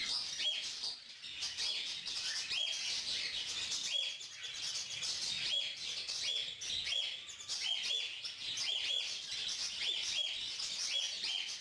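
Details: Young female lutino cockatiel soliciting food from an attentive adult male; continuous rasping hiss overlaid by sharp, evenly spaced tweets roughly every second, with a brief quieter moment near the start.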